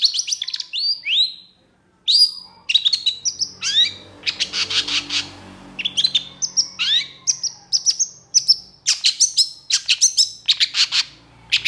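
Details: Agitated long-tailed shrike (Lanius schach) singing a fast, varied medley of sharp chattering notes, high whistles and harsh buzzy bursts, with brief pauses between phrases.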